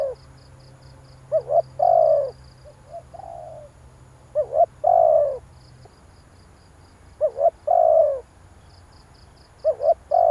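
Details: Spotted dove calling to excite a decoy bird, about 21 phrases a minute. Each phrase is a quick doubled note sliding into a long, mellow, falling coo, sometimes followed by a soft extra coo. A low hum stops midway. Faint high chirps are heard.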